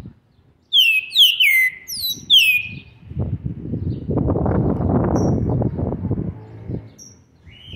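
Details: Green-winged saltator fledgling aged seven months and twenty days, November 2020: a quick series of four bright, downward-slurred whistles opens, followed by a long stretch of loud rustling, handling-like noise with a couple of faint high notes.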